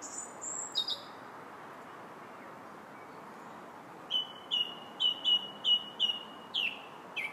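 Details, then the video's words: Song thrush heard in July: a few thin high notes, a pause, then a string of seven short clear whistled notes repeated rapidly, ending with two lower sliding notes; quiet background. "Song Thrush's Song July 8th"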